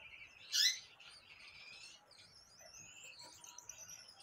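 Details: Gouldian finch singing: a sharp chirp near the start, then soft, thin, high whistled and buzzy notes drifting along quietly, with faint background hiss.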